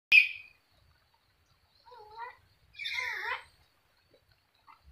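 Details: Sulphur-crested cockatoo said to be a clever talker: a sharp loud squawk onset, then two brief harmonic, speech-like bursts with wavering tones, separated by quiet gaps.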